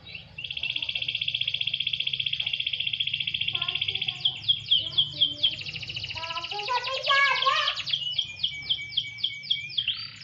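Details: A canary put out to sunbathe delivers a long, even, rattling trill, then separate sharp chirps, a tumbling mixed warble with lower notes, and finally quick repeated high syllables.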